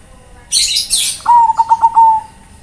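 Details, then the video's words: Zebra dove of Bangkok type calling to its companions: a brief hissing burst, then a cooing phrase of five or six rhythmic pulsed notes trailing off in a smooth, steady tone. "MASTERAN BURUNG PERKUTUT, ( Bangkok ) memanggil kawan"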